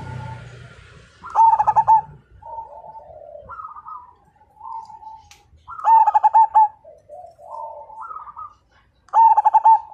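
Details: Zebra dove of the Majapahit line, a lively fighter-type singer whose voice prompts other birds to sing. Mellow, gurgling coos rise and fall between loud bursts of rapid, rolling pulsed notes, repeated three times, with faint low rumbling early on.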